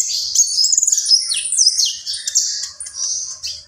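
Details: Common iora (konin) singing gacor: long high whistled notes slurring down and back up, overlaid with fast chattering, in one continuous phrase.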